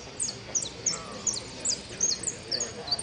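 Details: Goldfinch in a singing competition: a rapid sequence of thin, very high twittering slurs with background chatter.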